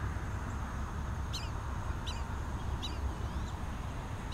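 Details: Black-bellied whistling ducks with juveniles at Twin Lakes in Diamondhead, Mississippi, 2017: short, faint whistled calls repeated about once a second over a steady low rumble.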